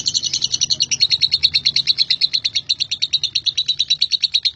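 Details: A male lovebird delivers its ngekek chatter, a continuous run of quick, shrill, metallic notes repeated about three times a second, even and unbroken throughout.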